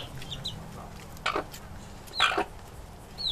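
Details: Chickens eating, giving short broadband clucks at about 1.3 and 2.3 seconds, with high thin descending peeps between them, over a low background hum.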